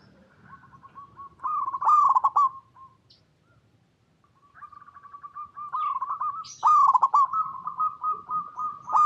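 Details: Local zebra dove recorded in its natural habitat, singing persistently as a lure to get other doves to sing: soft, fast, staccato cooing phrases with trilled rattles, two bursts split by a short pause.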